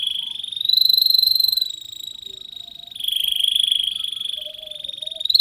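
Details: Young canary in a long, lively training song: sustained buzzy trilled rolls held high, shifting pitch at about three seconds, with a faint low whistle near the end.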